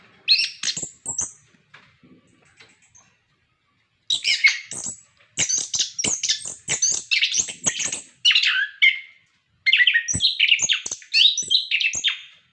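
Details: Orange-headed thrush in captivity, its song meant to encourage other captive birds to sing: long bouts of rapid, varied, scratchy chattering and warbling phrases separated by short pauses.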